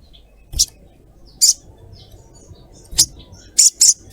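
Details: Female sogok ontong (ruby-throated myzornis) calling to a male: short, very high, sharp chirps spaced irregularly, first singly and then a quick close pair near the end, over a quiet background.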